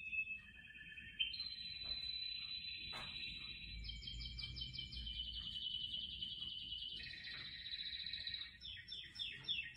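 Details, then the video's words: Indoor canary among potted plants sings a continuous chain of rolling trills, stepping from a lower buzzy tour up to higher rapid pulsed phrases and ending with quick descending notes; low rumble in the background. "زقزقة عصافير الكاناري"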